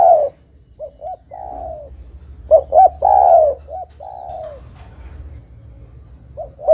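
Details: Spotted dove (derkuku) song played as a lure to call in other doves for trapping: soft hooting coos with a quick two-note lead-in and a longer rolling coo, phrase repeated twice over low steady background noise.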